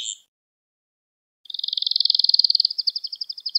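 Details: Canary singing in a recording for training young canaries: one short note, over a second of silence, then a long steady high trill that speeds up and becomes more pulsed.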